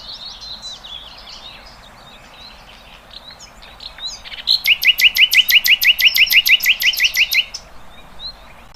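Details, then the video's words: Birds in the wild with quiet, varied twittering, then a loud, very regular rapid series of roughly seventeen ringing chirped notes lasting about three seconds. "Kicauan Burung Cerminkan Suasana Damai"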